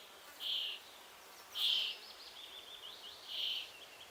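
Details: Common starling nestling at the nest-box entrance awaiting parents with food, Estonia, Canon EOS R3 recording: three loud rasping buzzes, each about a third of a second, spaced about 1.5 seconds apart, with softer scratchy notes between.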